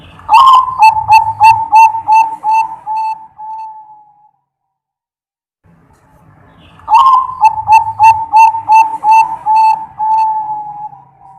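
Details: Zebra dove (perkutut, Bangkok type) singing, recorded from a real bird and used as a lure and tutor song: two phrases, each a loud opening note followed by about ten evenly spaced, slowly fading whistled coos, with low rumbling noise below.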